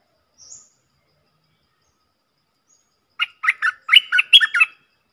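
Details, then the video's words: A stripe-throated bulbul gives a lively, warbled phrase of roughly eight short, gurgling notes rushing together near the end, preceded by a brief faint high squeak and a long quiet gap. "เสียงต่อนกดอกแตงEp.99 เปิดดอกเน้นๆ"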